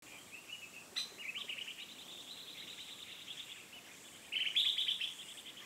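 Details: Rusty-cheeked scimitar babbler at Doi Lang in Chiang Mai, Thailand: a soft trilled phrase near the start, then a louder burst of rapid, bubbling notes about four seconds in, over faint steady background hiss.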